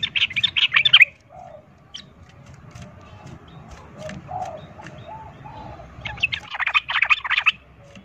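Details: Sooty-headed bulbul fighting song meant to stir other bulbuls into fighting: two dense bursts of rapid, tumbling chattery notes separated by a long quiet gap with faint low hum.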